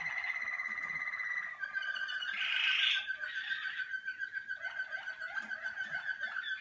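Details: Malinois waterslager canary in early song-cabinet sessions, warming up: sustained rolling trills and water-like bubbling tones, shifting pitch partway through, with a faint indoor background.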